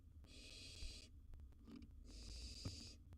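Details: Young barn owl in a wild nest box with a gerbil: two soft, prolonged rasping hisses, close together, with faint taps and a single knock in between.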